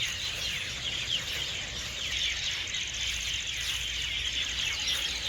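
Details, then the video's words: Evening roost in a garden, where hundreds of birds flock each night into the trees: a continuous loud wall of overlapping chirps and short high twitters, echoing, with a constant thin high whine behind it. "Evening Song of the Birds, پرندوں کا سرود شبانہ"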